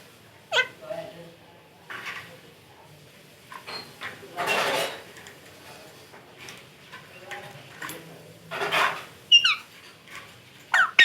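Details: Pet parrot indoors, said to be talking: scattered short harsh screeches and noisy bursts, with a few sharp upward chirps and whistled notes near the end, separated by quiet gaps and faint room noise.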